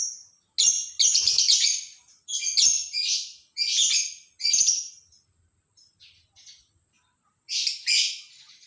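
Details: Lovebird chattering in the morning, a busy series of loud squeaky, buzzy bursts in quick succession, a quieter pause with soft chips, then two more harsh squeaks.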